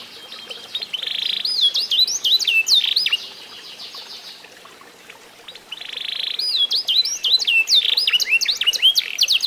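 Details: Eight-month-old F1SF canary, trained by song tutoring, sings two bursts of buzzy tones and looping high whistles, separated by a quiet gap of a few seconds.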